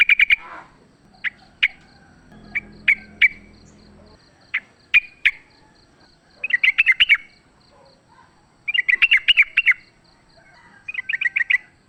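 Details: Sooty-headed bulbul song from wild birds, fighting, used as a lure: short bubbly whistled phrases around mid-high pitch, given in quick bursts of several notes with pauses, a faint low hum and clicks behind.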